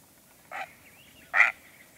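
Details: Great blue heron giving two short, harsh squawks about a second apart. The second is louder and noisier, with a faint thin whistle between them over a quiet background.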